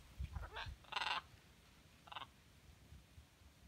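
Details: Scarlet macaws in Costa Rica, January 2018: a few harsh, raspy squawks, one loud burst then a shorter fainter one, over low rumbling background noise.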